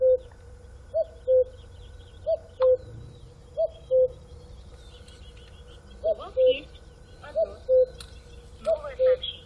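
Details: Cuckoo calling a two-note cu-coo, the first note higher and the second lower. Pairs repeat about every one to two seconds in a steady series, with a faint hum and a few soft background chirps.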